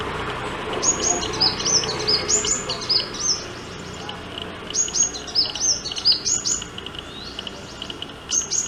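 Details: Sunbird courtship song: quick, high, bright chirps and twittered notes repeated in fast bursts, with a pause near the middle, over a faint steady background hiss.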